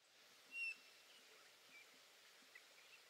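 A Eurasian bullfinch gives one soft, level, piping whistle lasting a fraction of a second, over a faint steady background hiss.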